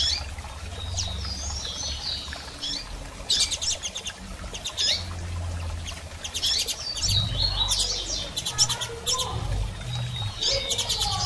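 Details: Female double-collared seedeater piping and chirping, intended to stimulate a male's song after moult; bursts of dense clicking pulses alternate with thin high chirps, over a steady low rumble.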